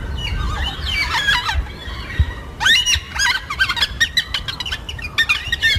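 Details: Yellow-tailed black cockatoos, social birds of southeastern Australia, calling to one another; bursts of harsh, harmonic squealing notes come in clustered runs, some rising then falling, with short pauses between groups against a low outdoor rumble.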